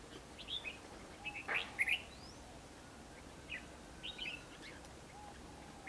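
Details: Red-whiskered bulbul at a trapping site in Hòa Bình, Vietnam, 28 March 2016, a decoy singing to lure wild birds into a trap; short bright chirpy phrases come in scattered bursts over a quiet hiss.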